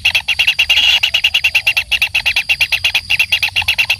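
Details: Young kingfisher being fed by a parent, calling in a fast, even string of sharp, high chips, roughly seven or eight a second, steady throughout.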